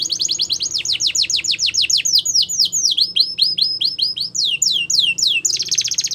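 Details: Canary song in a continuous run of rapid repeated tours: fast descending sweeps, then upward-curving slurred notes, and a final dense buzzy trill, all high-pitched and rhythmic.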